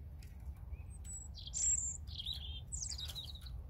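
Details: European robin song, with a second, unidentified bird also present: a short burst of high, thin, tumbling warbled phrases with sharp sweeps, over a low steady rumble of background noise.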